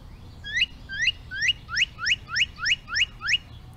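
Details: A recorded male northern cardinal song, played as an example in an Arlington, Virginia backyard: nine quick, clear upslurred whistles, about two or three a second, growing stronger, over a faint low hum.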